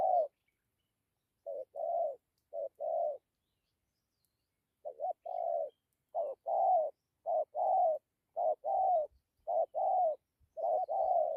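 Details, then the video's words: A decoy spotted dove coos in the gù style mixed with dặm. Soft, low hoots come in short-long pairs, with a pause of nearly two seconds before a faster, steady run of pairs. "Thổ tốt tiếng gù tốt dặm kèm gù"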